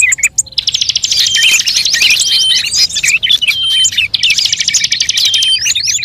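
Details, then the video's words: Lure recording of assorted bird species: after a short pause, a dense wall of fast rattling trills and high chirps starts, broken by scattered whistles, then a second burst of rapid trilling near the end. "suara pikat semua burung terbaru"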